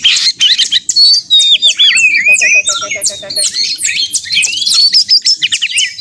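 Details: White-rumped shama singing in a contest simulation meant to provoke another bird, with fast jumbled high whistles and chirps, a short run of evenly spaced lower pips in the middle, and steady loud delivery.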